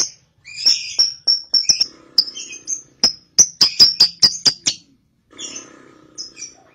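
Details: Young caged cobalt lovebird making short sharp high chirps and clicks, some in quick runs of five or six, with brief pauses and a faint background hum.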